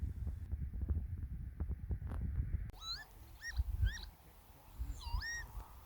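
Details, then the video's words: Northern Lapwing gives four or five wheezy, swooping 'pee-wit' calls, each rising then dropping, after heavy wind rumble, on Mount Blair near the Cairngorms, Scotland, in late April with changeable weather; earlier misidentified as an Oystercatcher. "The bird call at 7:50 is a Lapwing and not an Oystercatcher."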